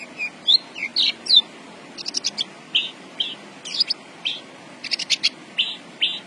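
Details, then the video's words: Javan bush lark song of slurred high whistles, then clipped stuttering buzzes and rattles delivered in short spaced groups. "BURUNG BRANJANGAN GACOR BOSSKU"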